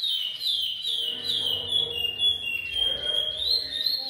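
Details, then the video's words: Chestnut-bellied seed finch, or curió, in repetidor Goiano style: smooth whistled phrases gliding up and down, a lower warbled passage in the middle, with some low rumbling background noise. "Curió repetidor Goiano"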